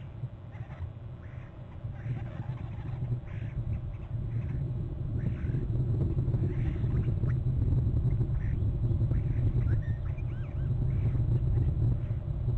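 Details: Bald eagles at a nest on Hornby Island, November 13; the female sits on the nest, flies off and returns, then the male arrives and both trill. Scattered short arched calls rise and fall over a steady low hum.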